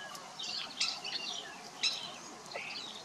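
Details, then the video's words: A Sharp-tailed Grouse in grassland near Dorothy, Alberta, Canada, gives harsh, squeaky high chatter in three quick bursts over about three seconds, against a faint open-country background. "Sharp-Tailed Grouse"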